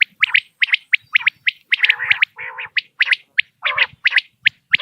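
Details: A common quail's morning call, recorded for quail hunting: a quick run of sharp, liquid notes, a few every second, mixed with lower, gargling, wheezy notes; no other sounds stand out.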